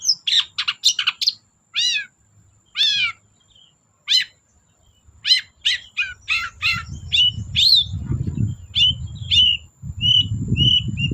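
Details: Long-tailed shrike song used as a lure for shrikes that will not sing: a quick string of bright, downslurred whistles and chirps, with a short rising-falling phrase repeated, and a low rumbling noise growing in the second half.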